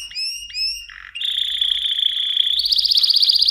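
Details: Mosaic canary song opening with two rising whistled slurs, then a low buzzy rattle, followed by a sustained bright trill that jumps higher into a fast shimmering roll.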